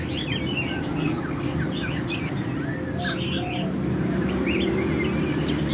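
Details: Genetically mutant white-winged white-rumped shama giving quick, varied whistles and chirps, sliding up and down in pitch, over a steady low rumble with other chirping nearby.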